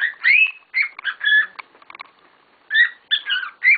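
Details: Noisy pet cockatiels: a long upward-sliding whistle opens, then choppy chirps, a pause of about a second, and another fast burst of whistled notes.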